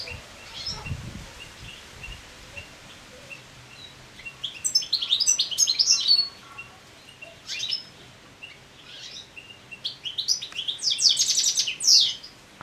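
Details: Moulting European goldfinch singing naturally in late summer: scattered high twittering phrases, then quicker tinkling runs and buzzy trills building toward the end, with quiet gaps between bursts.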